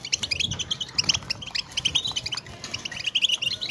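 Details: Goldfinch chatter meant to prompt quiet goldfinches into song; rapid high twitters and buzzy chips come in quick bursts, with overlapping voices throughout.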